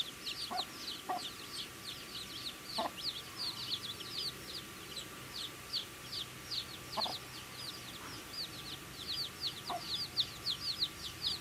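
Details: Baby chickens feeding, a dense chorus of thin high chirps from several chicks, overlapping continuously, with occasional sharp pecking clicks and a faint steady background hum.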